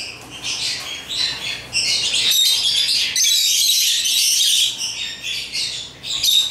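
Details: African lovebirds playing with toys give off dense, shrill chirping and squawking chatter, broken by a brief pause near two seconds and then continuing in overlapping bursts.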